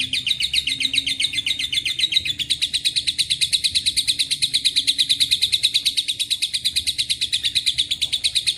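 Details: Long-chattering lovebird, its 'ngekek panjang' mixed with cililin and canary phrases: shrill, rapid repeated notes form a continuous high rattle, shifting texture slightly after two seconds and carrying on without pause.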